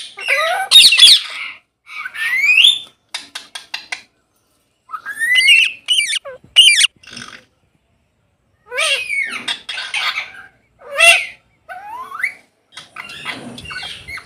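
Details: Parrots playing in a field on an autumn afternoon: a lively mix of sharp squawks, rising whistles and harsh chattering bursts comes in irregular spells, with short pauses between groups of calls.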